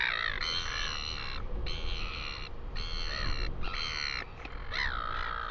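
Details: Northern royal albatross, New Zealand, 12 August 2020: a series of long, harsh, harmonic brays, each about half a second, in a steady rhythm against constant low wind-like rumble.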